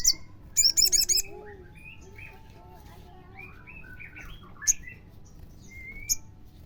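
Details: Crimson sunbird lure song meant to prompt other sunbirds to sing: a short burst of fast, high, buzzy trilled notes at the start, then scattered thin whistles and sharp single chips over a quiet background.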